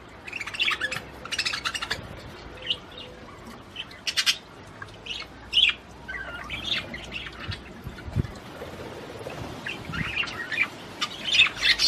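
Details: Budgerigar song to arouse the female for mating: scattered chirps and short warbled phrases between quieter gaps, with a soft thump and a lively burst of chatter at the end.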